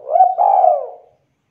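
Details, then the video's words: Spotted dove coo meant to draw replies from other doves. One mellow, level note breaks into a longer coo that slowly falls and fades out. "DERUK DERKUKU TEKUKUR GACOR BIKIN DERKUKU APAPUN AUTO LANGSUNG NYAUT DAN GACOR"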